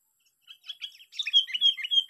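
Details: Lure Sooty-headed bulbul on its sixth day of fighting, giving a lively, loud chattering song of slurred whistles and chirps that grows stronger toward the end.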